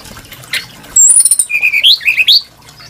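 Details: Varied, sweet-toned Brown-chested jungle flycatcher song: a high thin whistle, then a lower warbled phrase that climbs in quick steps, ending in near silence.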